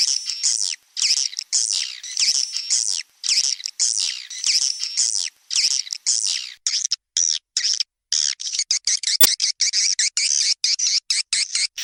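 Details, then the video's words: Swiftlet lure call meant to attract swiftlets, a dense run of high chirping and twittering pulses in quick bursts, some steady buzzy tones underneath, short gaps between bursts. "SUARA PANGGIL FULL BIRAHI +++ !!! WALET LANGSUNG KIS-KIS"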